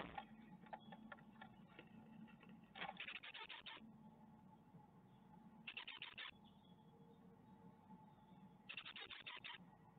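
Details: Great tits at an Ostwald nest on 14 May 2021 as young fledge, webcam recording: three separate bouts of fast, harsh, pulsed chattering about three seconds apart, with a constant background hum.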